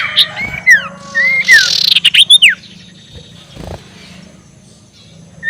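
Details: Ashy tailorbird ngekek call, used as a lure to provoke rivals: a few sliding whistled notes, some falling, then a fast burst of short sharp notes, with a low steady hum underneath.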